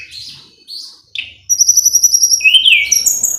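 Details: Mountain tledekan in full song, used to agitate an opponent into replying: a few scratchy chirps, then a rapid sequence of high thin whistles overlaid with a loud descending slurred phrase.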